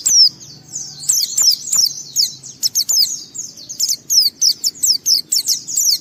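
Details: White-eye in full gacor song, meant to coax other white-eyes to sing: quick high-pitched twittering phrases, speeding into a regular series of sharp descending chirps toward the end.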